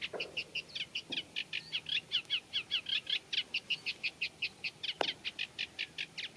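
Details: Eurasian reed warbler singing in a reed bed, a slow, scratchy song mixed with mimicry of other birds, including Common Redshank: a steady, chattering run of grating, clicking notes in quick pairs and triplets, with a few brief background clicks.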